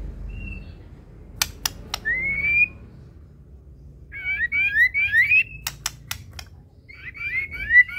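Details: Medan-type white-rumped shama singing full isian: a lone whistle, a rising slurred note, then quick bursts of looping whistled phrases between sharp ticking clicks.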